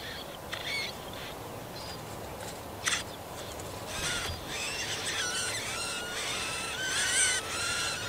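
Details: Marsh warbler bringing food to chicks at a nest suspended on nettle stems, Kalinovsky forest park, Yekaterinburg, late June 2020. Faint isolated chirps at first, then a sustained stretch of scratchy, buzzy chatter with thin rising whistles.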